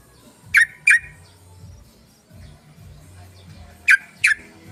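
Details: Lure call of a sooty-headed bulbul, played to draw in other birds. Two quick bright chirps, then a pause of about three seconds and another matching pair, over faint low hum.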